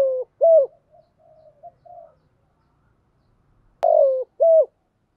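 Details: Decoy spotted dove cooing meant to encourage other males to coo. Two crisp low coos, then soft faint murmuring and silence. A sharp click comes before two more coos, the first broader and falling.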